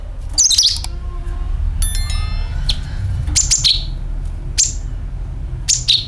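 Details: Sooty-headed bulbul call and drawn-out notes used to attract birds: quick high chirping phrases, a brief run of thin tonal pips, then repeated sharp high notes every second or so.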